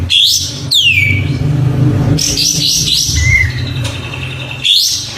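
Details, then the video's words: Oriental white-eye song used as a training tutor: high down-sweeping whistles and scratchy chatter over a constant low rumbling hum, with a brief slurred whistle near the end. "MASTERAN Suara Burung Kapas Tembak, langsung nyaut"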